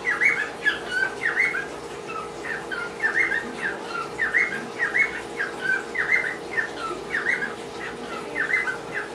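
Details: A pet cockatiel (Nymphicus hollandicus) whistles a busy song of short, warbling notes, with a steady low hum behind it.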